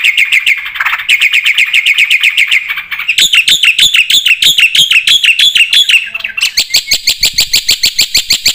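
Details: A black-winged starling sings energetically with fill-in phrases, meant as a lure for birds that have stopped singing. A fast, even chatter of rasping notes shifts into higher, quicker trills, then dense buzzy rattling phrases.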